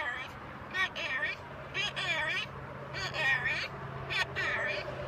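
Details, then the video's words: Pet macaw hanging out on a balcony, talking: bursts of speech-like, harmonic-rich vocal phrases about a second apart, some rising and falling, over a steady low hum. "Our talking Macaw"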